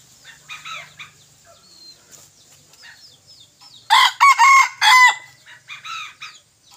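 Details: Young decoy junglefowl cockerel, recorded 21 May 2023, crows once loudly in several harsh, broken pulses lasting about a second. Quiet chirps and twitters from other birds fill the space before and after.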